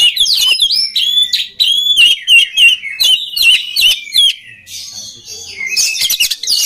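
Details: An oriental magpie-robin pours out a rich song used to spur other magpie-robins into singing. Sweet looping whistles follow one another rapidly before turning to harsher, rasping chatter near the end.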